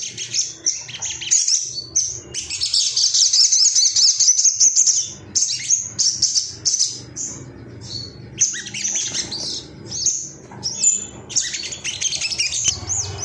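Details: Ruby-cheeked sunbird singing agitatedly at rivals: very high, thin, rapid twittering poured out in excited bursts of a few seconds, with short gaps between runs.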